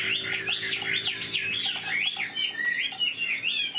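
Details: Old wild-caught Chinese hwamei with a fine voice and fast delivery, singing a continuous run of loud, rapidly slurred whistled notes that rise and fall in quick looping phrases, with no pauses.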